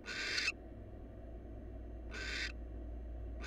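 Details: A wild barn owl in a monitored nest box, one of a newly paired couple, lets out two harsh hissing bursts about two seconds apart, the first loudest, as a third begins; low droning hum underneath.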